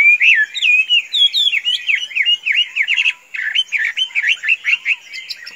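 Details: Hand-tame Chinese hwamei, kept as a pet bird and free to be let out without flying off, sings a loud, fast run of sweeping whistled notes, each swooping up and down, repeated in rapid rolling bursts with a brief pause midway.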